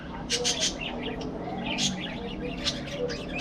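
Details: Budgerigars in an aviary colony chattering: bursts of high, scratchy chirps and warbled notes, with louder clusters near the start and middle, over a steady low background hum.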